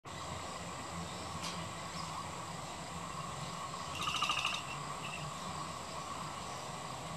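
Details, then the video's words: A crested pigeon taking flight, its wings giving a brief, rapid burst of metallic, pulsing whistles, over a steady outdoor background hiss. "Crested Pigeon Taking Flight"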